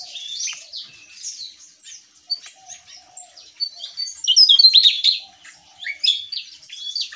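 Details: Javan tesia in gacor ngeplong song: softer scattered high chips at first, then a loud flurry of rapid, high, squeaky twitters from about 4 to 5 seconds and again near the end, over a faint low tone.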